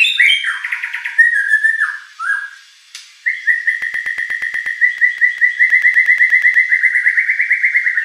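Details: White-rumped shama song used to goad a contest bird into responding: varied whistled phrases, then a long steady rattling trill of rapid repeated notes lasting several seconds.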